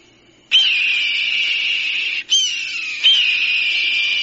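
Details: Hawk sound used for bird dispersal: a long, steady, piercing high scream that starts abruptly, breaks off briefly, then resumes twice with a short downward slur at each restart.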